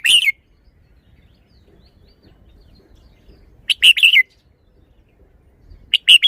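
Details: Red-whiskered bulbul song: three short, lively phrases of rich, chirpy whistled notes, spaced about three to four seconds apart, with quiet between them.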